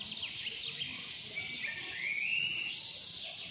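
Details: Birds chirping together outdoors, with a dense chorus of high, thin, overlapping twitters and short rising and falling whistles that keeps going without a break and grows slightly louder toward the end.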